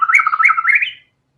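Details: White-rumped shama delivering one short, rapid phrase of warbled, slurred whistles that climb in pitch before stopping abruptly, as part of a fighter-style burst meant to spur other songbirds to sing.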